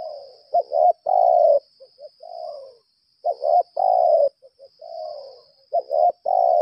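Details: Decoy spotted dove of lambung kuk type in challenge calling: repeated cooing phrases of paired short notes and a long deep coo, softer trailing coos between, against a faint constant high whine.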